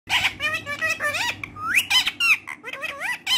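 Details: A friendly pet rose-ringed parakeet talking in Urdu or Hindi indoors: rapid, harmonic, speech-like syllables with rising and falling squeaky inflections, a long upward-sliding note near the middle, and short chattering bursts, all in a small room.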